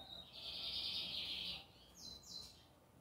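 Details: Lined seedeater (bigodinho) singing in the American style on a Sunday, Brazil: a faint, buzzy, sustained high phrase lasting over a second, followed by two quick descending notes against quiet background noise.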